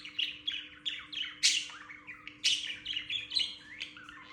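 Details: Pet male budgerigars in their morning chirp session, chattering with quick, scratchy chirps and warbles, sounding busy and excited.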